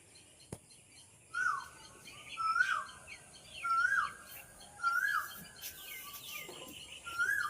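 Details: Asian koel singing from a tree in the morning, repeating a mellow, slurred 'ku-oo' about once a second, five times, with faint twitters of other birds behind.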